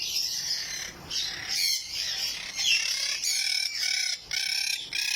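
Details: Blue monk parakeets, a pair, give harsh, grating screeches and chatter in near-continuous bursts with brief pauses every second or so; finding: Monk parakeet.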